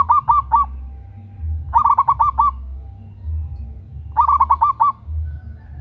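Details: Local zebra dove, female calling a male, used as a lure: three cooing phrases, the first of three notes and the next two of six or seven rapid rolling notes, over a steady low rumble.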